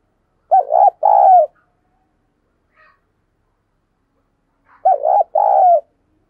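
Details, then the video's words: Spotted dove decoy bird, one of the owner's best lure birds, giving a vigorous urging coo: two loud two-part cooing phrases, a short bubbling note then a longer rolling note, about four seconds apart, silence between. "Tiếng Thúc Chim CU Gáy Sung - Kích Bổi Nhanh Nổi"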